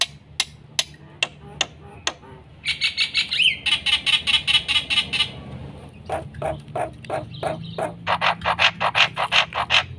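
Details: Black-winged myna in full, varied song used as a lure and training song for other birds: harsh chattering bursts, then rapid runs of buzzy, squawky notes repeated several times a second, with a faint low hum beneath.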